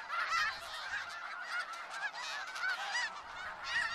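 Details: Snow geese close by in Skagit Valley, loud overlapping high nasal honks and yelps from many birds, a dense raucous flock chorus throughout.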